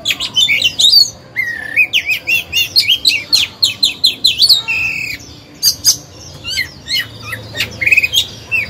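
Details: Captive oriental magpie-robin used as a lure to excite other birds into singing and to teach young birds; a fast, varied run of whistles, trills and sharp repeated notes that pauses briefly midway and then resumes.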